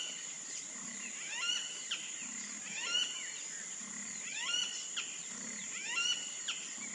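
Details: Wattled jacana, a wetland bird with no visible difference between the sexes: repeated groups of falling, harmonic call notes about every one and a half seconds, over steady insect buzzing and soft low pulses.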